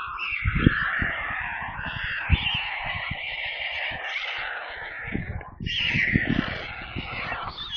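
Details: Hungry white stork chicks screaming in a nest near Kaluga, Russia, live nest camera: harsh, buzzing cries that pause briefly then resume louder, mixed with thumping knocks from the nest.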